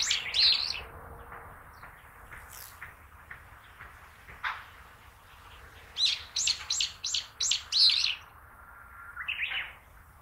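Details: A brown-eared bulbul gives its ordinary call (not song) of loud, shrill, harsh squeals: a few scattered calls, then a rapid burst of about six screechy notes, trailing off into softer rising calls.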